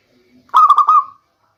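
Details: A single short phrase from a local zebra dove, used as a lure in the rainy season: about four quick, rolling coos that run together and fade, preceded by a faint low murmur.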